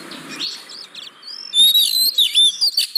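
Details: Oriental magpie-robin song used as a lure to prompt reluctant caged birds to sing: after a quiet start, loud whistled notes and sweeping slurs arrive in quick bursts with short gaps.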